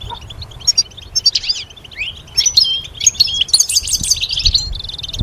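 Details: Training song of a goldfinch, meant as strong stimulation for songbirds: scattered sharp chirps and short slurred notes build into a rapid, high tinkling run of twitters, ending on a steady buzzy trill.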